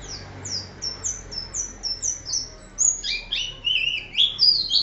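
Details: Oriental white-eye singing in the lively 'gacor' style used for tutoring other birds. A steady run of thin, high down-slurred tsee notes about three per second, then a faster, more varied warble with lower squeaky notes.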